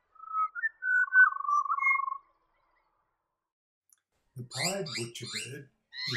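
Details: Pied butcherbird in wooded areas of the New England region of NSW, Australia: a short phrase of clear, flute-like whistles, some slurred and rising, lasting about two seconds, followed by a man's narrating voice.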